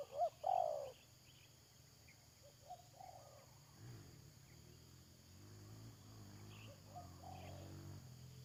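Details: Spotted dove used as a decoy for trapping. Two loud, hollow coos open the clip, followed by softer, distant coos. A low engine-like rumble fills the later part.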